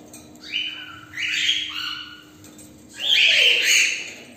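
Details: A large number of cockatiels kept together in a cage give harsh, scratchy squawks in short bursts, ending with a louder, rougher outburst.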